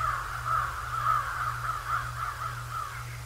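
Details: At the Decorah North bald eagle site, 7 January 2024, 08:36, live nature cam: a steady series of about nine thin, high piping chirps, gradually weakening, over a constant low electrical-sounding hum.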